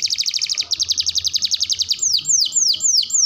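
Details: Canary masteran song for training young, developing and adult canaries: a fast pulsing buzzy trill of about twelve notes per second for two seconds, then a few loud descending whistled sweeps, over a faint low hum.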